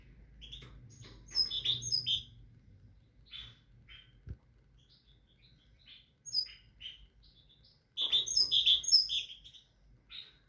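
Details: Singing tit gives bright, high whistled notes in quick runs, with louder phrases near two seconds and from eight seconds. Scattered softer chirps fill the pauses, and a low hum sits underneath.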